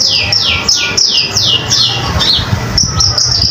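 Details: Vigorous common iora song for tutoring other cage songbirds: a series of loud high notes, each sweeping sharply downward, about three per second, ending in short clipped high chips.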